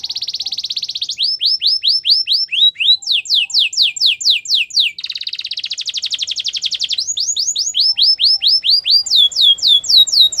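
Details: Canary singing training song: a long chain of tours switching between rapid buzzy rolls and slower series of downslurred whistled notes, about two per second, clear and loud with no other sounds.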